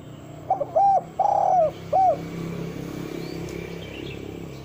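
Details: Lure call of a spotted dove, meant to call females and prompt wild doves to answer. It opens with a quick double note and three mellow coos, the long middle coo sliding downward, then only a soft rural hum remains.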